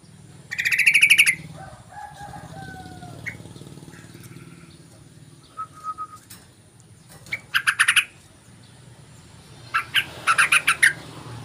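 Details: Yellow-vented bulbul lure call: bursts of bubbly, harmonic chattering notes at about one second, near eight seconds and again near ten seconds, with faint brief whistled notes between them over a low steady hum.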